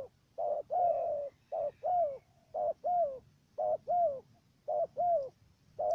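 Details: Decoy dove used for trapping doves in Cà Mau, Vietnam, giving a stuttering coo: a short low note followed by a longer falling coo, the pair repeated about once a second over a quiet background.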